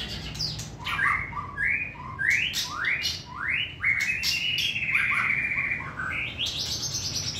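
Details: A short-tailed white-rumped shama kept in a cage and singing in hand delivers a rich, continuous song of rising whistled slurs and rapid sharp notes, phrases tumbling one after another.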